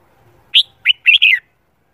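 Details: Red-whiskered bulbul, a bird in training for singing competition, morning song; one short phrase of four loud whistled notes, the last two run together into a warbling flourish, clean background.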